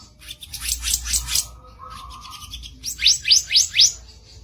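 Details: Kicap ranting in harsh singing style, kept as training song for songbirds: a burst of scratchy high notes, a faint low whistle, then four clear falling sweeps in quick succession.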